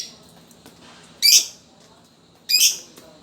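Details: Lovebird kept as a fighter bird, used as a lure to draw other lovebirds into singing: two sharp, harsh, high squawk-like bursts about 1.3 seconds apart over a quiet background with faint low hum.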